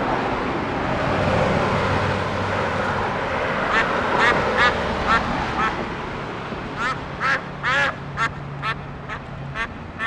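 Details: Snow geese at Châteauguay, Quebec, Canada, on 14 September 2011: several give nasal, barking honks in quick overlapping bursts about twice a second, over steady wind-like rushing and a low engine hum.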